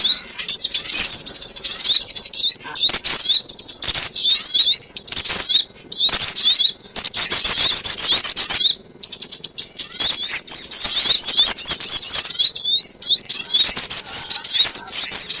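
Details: High, thin chattering and fast trills of crimson sunbird, used as a trapping lure, run almost continuously for fifteen seconds with brief breaks and some sharp clicking notes.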